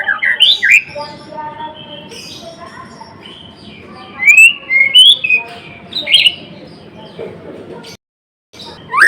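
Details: White-rumped shama, the Blorok type, singing in gacor (vigorous) style: loud slurred whistles and rising notes in bursts, a rich varied phrase, then a brief silence before singing resumes.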